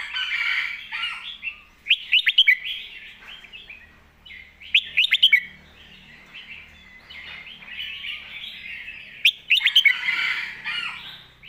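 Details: Repeated song phrases from a Red-whiskered bulbul in the "sumnuan thong" master-song style, roughly every three to four seconds. Each is a burst of sharp whistled notes trailing into a chattering warble.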